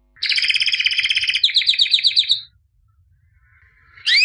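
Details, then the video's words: Albino canary, white plumage, champion of 2017, pours out a fast rolling trill for over two seconds, falls silent, then starts a rising whistled note. "Εκπαίδευση καναρινιών - θα κελαηδούν σαν αηδόνια White Canary Singing (Albino)"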